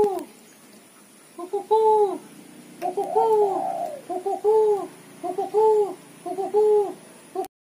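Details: Female spotted dove's chattering call, known locally as ketrekan, used to lure other doves. A series of low, arched, slightly rough notes in quick clusters, about eight bursts over several seconds in a quiet indoor setting.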